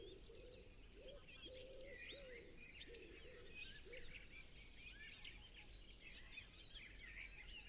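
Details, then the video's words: Common wood pigeon in a natural reserve at sunset gives low, muffled coos in a rhythmic sequence during the first half, then falls silent while many small birds keep twittering high above. "Wood Pigeon Sound Library"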